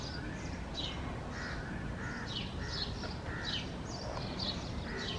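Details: A foraging Red-vented Bulbul, recorded on 15 March 2024, gives a run of short, bright chirps, two or three each second, over a steady low rumble of background noise.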